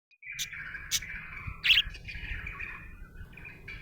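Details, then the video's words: Happy budgerigar chirping: a steady warbling chatter around the upper-middle range with a few sharp, louder chirps and squawky accents, over a faint low hum. "Happy budgie chirping sound"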